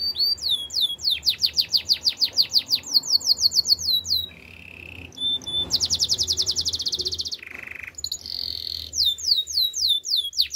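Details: Canary training song: fast rolling trills of rising looped notes, bursts of dense buzzy rattles, a few pure held whistles at lower pitch, then more swooping looped phrases, with low steady background hum.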